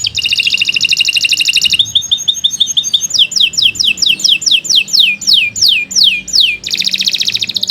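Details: Canary in long continuous song for tutoring young or silent birds: a dense high rattling trill, a chain of short chirps, about a dozen steeply falling whistles, then the rapid trill again.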